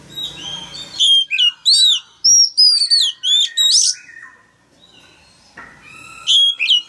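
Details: Male Oriental magpie-robin in a cage, singing loudly to coax a young bird to sing: fast bursts of piercing, varied whistles and sweeping slurred notes, a pause with softer lower whistles, then a final bright flourish.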